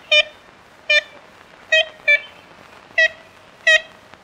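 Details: Ivory-billed woodpecker giving six short, nasal, tin-horn-like toots over about four seconds, spaced irregularly with two notes close together, against a faint steady hiss.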